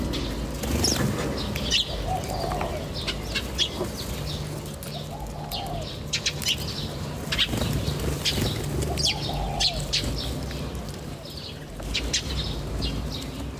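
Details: Birds chirping outdoors in nature: scattered short, high chirps and sharp clicks, with a few low, soft coo-like notes and a steady low hum beneath.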